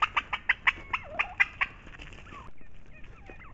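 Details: Turkeys calling in brushy ground close to a marsh and fields while food is brought. A quick series of loud, sharp clucks is followed by softer, sliding whistled notes.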